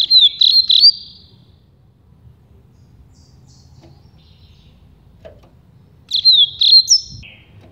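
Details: Campainha song of a Rusty-collared seedeater, a style also known as carretilha or flauteado, meant for tutoring young birds: a quick run of bright, high whistled notes, a long quiet gap, then another fluty phrase ending in a higher note.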